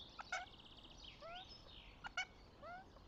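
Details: Northern goshawk at a nest in Tartu, Estonia, 26 April 2025: two abrupt harsh notes separated by short upward-slurred calls, with a steady chorus of trilling small birds behind.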